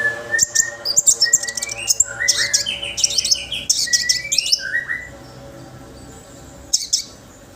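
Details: Orange-headed thrush song used to stimulate other birds to sing: rich run of whistled and chirping phrases, high notes sweeping down to lower slurred whistles, dense for five seconds, then a quieter pause and a final brief burst.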